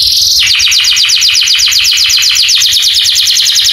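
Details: Canary song played to set other canaries singing: one high note, then a long rapid trill of repeated descending chirps, about four per second, steady and bright over a constant hiss.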